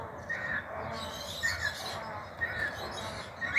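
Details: Free-flying cockatiel, apparently escaped, on a house rooftop in 2023 in a region where the species is not usually seen; short whistled calls, each bending down then up, come about once a second over steady background hiss.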